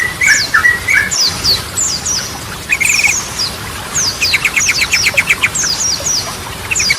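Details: Yellow-vented bulbul song used as a training lure for stalled birds. Brief trilled phrases open the clip, followed by a quick burst of short repeated notes, with high thin chirps scattered between.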